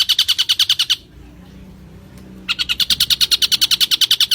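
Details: Champion long-tailed shrike in a tutor recording: rapid bursts of sharp, high chirps repeated about nine times a second. The notes break off for a second and a half of near silence, then resume at the same fast pace.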